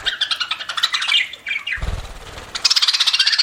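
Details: Eating pet budgerigar giving fast, rhythmic chirps and warbles, broken by a short low rumble before a dense run of rapid repeated chirps.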